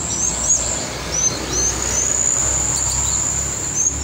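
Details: Kolibri ninja sunbird in lively song for tutoring: a few thin high upslurred chirps scattered over a continuous high whine and soft low background hum.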